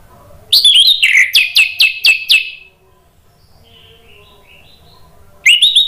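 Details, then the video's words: Orange-headed thrush song in the loud 'ngeplong' style, played as a lure to make silent birds answer and sing. A burst of loud, high, whistled notes, quickly repeated, lasts about two seconds. A quiet pause follows, then a new phrase starts. "PANCINGAN ANIS MERAH NGEPLONG merangsang BUNYI jadi NYAUT GACOR NGEPLONG"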